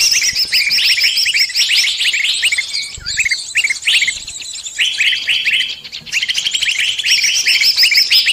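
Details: Bird lure for trapping, claimed to attract every species: a lively tangle of quick, rising chirps and thin high notes from several birds, briefly easing around the sixth second.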